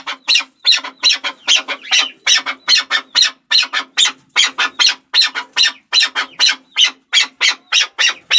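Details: Chukar partridge calling in a steady stream of rough, clucking chuk notes, about three a second, with a faint low hum underneath.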